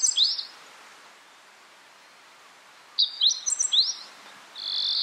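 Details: Meadow bunting (Emberiza cioides ciopsis) at Takayama, Japan, in April 2014, giving quick bursts of high, thin, sharply slurred notes, a short phrase at the start and a longer run after a pause.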